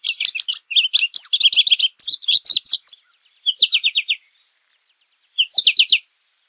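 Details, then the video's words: An American goldfinch gives quick, twittering song phrases of buzzy and slurred notes for about three seconds, then short repeated-note bursts after pauses; clean recording without other noise. "American Goldfinch Song! American Goldfinch Call! - Jilguero Americano canto"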